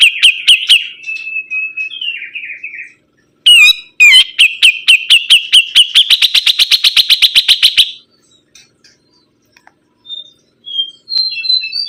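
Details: Spirited sibuntung bird song: scratchy chips and short descending warbles, then a long accelerating series of sharp, high, evenly repeated notes that stops abruptly, followed by quiet, scattered soft whistles.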